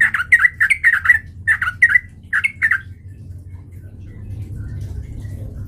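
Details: Sooty-headed bulbul song played as a lure to provoke fighting: a quick run of bubbly, gurgling two-part notes for about three seconds, then quiet with low hum.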